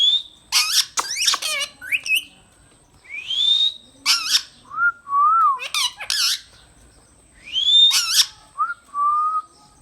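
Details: Indian ringneck parakeet, a pet talking parrot, giving loud harsh squawks and bent whistled notes, some rising and wavering, with short gaps between bursts; the words themselves are not clear.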